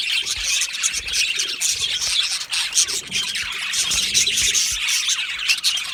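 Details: A budgie colony in an aviary keeps up a steady high-pitched chatter, countless overlapping chirps, warbles and squawks merging into one continuous busy chorus.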